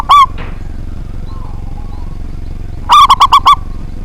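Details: Local zebra dove with a big voice, singing often, used to provoke rival birds to sing: one lone cooing note, a long pause, then a quick run of five clipped, ringing coos over a steady low hum.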